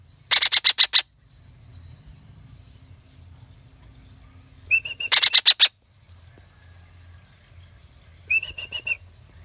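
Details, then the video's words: Caged young Red-breasted parakeet giving loud grating squawk bursts of five or six rapid pulses, each time after a brief nasal chattering run, with short buzzy chatter closing the sequence and near silence between. "Burung betet anakan atip gacor"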